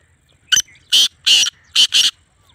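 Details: Sindhi black francolin from Pakistan giving its rasping phrase of five notes: a clipped opener followed by two drawn-out harsh syllables and a rapid closing pair, with faint low hum behind.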